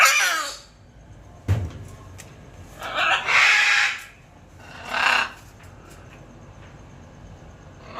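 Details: A pair of scarlet macaws give harsh, raspy squawks: one brief screech, then two louder drawn-out ones about two seconds apart, with a single dull knock between.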